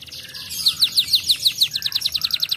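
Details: Griwik-style canary song used to provoke other canaries into singing: a rapid, rhythmic trill of sharp, high, downslurred notes, speeding up after the first second to roughly ten notes a second.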